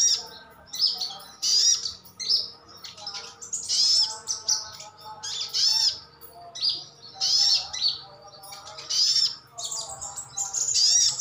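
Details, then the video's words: Sogon, sogok otong or sriganti sunbird in captivity calling to get other birds to answer: repeated bursts of shrill, high chirps and sweeping squeaks, roughly every second, with brief gaps between them. "Suara panggilan sogon/sogok otong/sriganti pasti nyaut."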